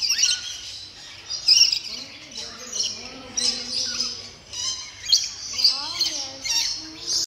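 A blue-streaked lory gives harsh, grating screeches and squawks in bursts about every second or two, with a constant hiss and faint speech in the background.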